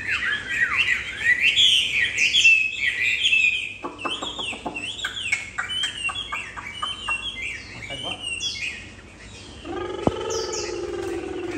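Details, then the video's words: Bob-tailed Chinese Hwamei, tame and kept in a cage, pours out fluent rising whistles and warbles, then a stretch of rapid clicking notes mixed with softer chirps, ending with a sharp tap and a low voice. "Họa mi mông cộc hót tốt rễ chơi, thuần đét"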